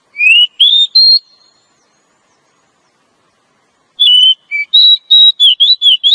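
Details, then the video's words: Female Oriental magpie-robin calling to provoke a male into singing and raise his breeding drive. Three clear, rising high whistles are followed by about three seconds of silence, then a quick run of varied sweet whistled notes. "suara Kacer betina.untuk memancing Kacer jantan mau bunyi"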